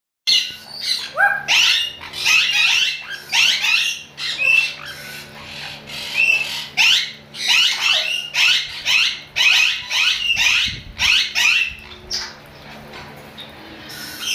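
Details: A sun conure gives loud, harsh, high screeches in rapid bursts, roughly one each second.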